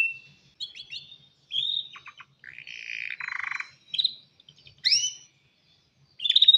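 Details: Male canary's mating call to a female: scattered short phrases of whistled notes, a buzzy burst and quick slides, separated by pauses, rather quieter than a full song.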